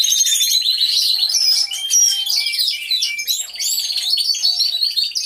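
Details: Aviary full of singing canaries, hidden camera: fast high trills, descending whistled sweeps and rattling runs overlapping, with occasional soft low sustained notes beneath.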